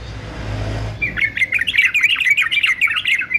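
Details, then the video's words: After a second of low rumbling background noise, a fighter male yellow-vented bulbul, used for training birds, bursts into a rapid, jumbled bubbling warble that runs to the end. "TRUCUKAN JANTAN FIGHTER ANTI BISU"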